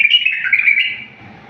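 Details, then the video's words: Bulbul singing a wild-style song (tawr wahshi), a clean recording meant for teaching other bulbuls: one bright warbled phrase of quick rising and falling notes, fading after about a second into a quiet low hum. "تغريد بلبل طور وحشي، صوت صافي وخالي من الأخطاء"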